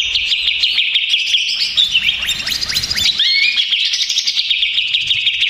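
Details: Greater green leafbird in agitated song, played as a lure: quick, high, warbling chatter with descending slurred notes in the middle and a rising whistle before the rapid babble resumes.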